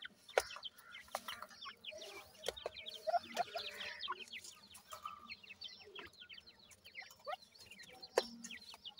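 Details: Quieter chorus from five reared Black francolin chicks aged 26 days, three female and two male: many thin, falling peeps overlapping continuously, broken by occasional sharp clicks and a brief low cluck.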